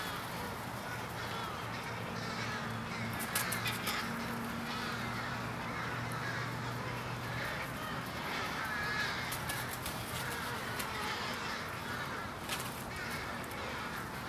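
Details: A large aggregation of American crows before roosting on a January evening in Charleston, Illinois, USA: a constant hoarse chorus of caws, with a low droning hum and occasional sharp clicks.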